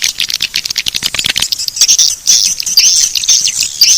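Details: Swiftlet lure call of the style named Bangkit 18, used to attract swiftlets: dense, rapid high chirps and clicky twitters pouring out almost continuously, with thin whistled notes threading through the upper range.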